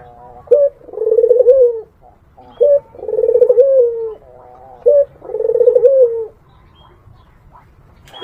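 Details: A sweet, low Barbary dove song aimed at drawing in a rival. Three phrases, each a quick clipped note then a long buzzy rolling coo, are spaced about two seconds apart before a quiet pause.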